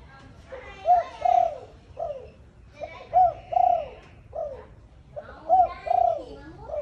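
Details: Cooing of Malaysian zebra doves, two females suited to breeding, in chiêu gù and thúc gù styles: three clear rolling coo phrases of quick, slightly falling notes, repeated about every two seconds, with faint voices in the background.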